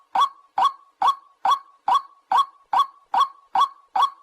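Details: A White-breasted Waterhen gives a harsh, croaking note, repeated about twice a second in a steady, monotonous series of ten identical calls; recording used as a bird-trapping lure call.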